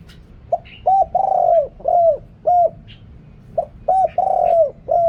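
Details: Spotted dove used as a decoy to call wild birds, deep-voiced, noise-reduced recording: mellow arched coos, short notes around one longer rolling coo, repeated in two phrases with faint hiss between.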